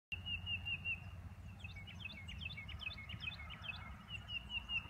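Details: Black-crested titmouse (Baeolophus atricristatus) singing in Texas: quick bursts of high, downslurred chirping notes over a steady high drone, likely insects, and a low background rumble.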